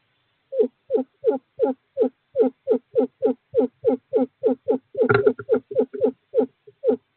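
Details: Male screech owl calling a female to an owl box during courting season, 2/11/2023: a steady run of short, downslurred hooting notes about three per second, with a brief rough burst near the end.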